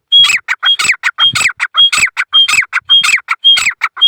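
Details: Grey francolin (teetar), male, calling in jungle; a loud ringing phrase repeated about twice a second, each opening with a pure whistle followed by several harsh, descending squawking notes, clear and insistent.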